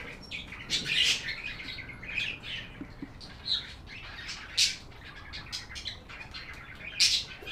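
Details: Budgerigars chirping: overlapping high, scratchy chirps and short warbled notes in loose bursts, one or two louder peaks every couple of seconds over a soft hiss.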